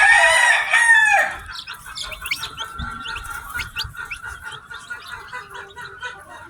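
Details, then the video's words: Baby chicks, newly hatched, from a batch of ten: a loud drawn-out cry opens, then a crowd of brief, high, piping chirps continues quickly and irregularly at a softer level. "Baby Chicks Chirping Sounds"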